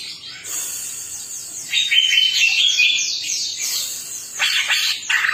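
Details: Twelve chatty greater green leafbirds in full voice: a run of quick descending whistled slurs with clear piping notes, followed by harsher overlapping chatter near the end.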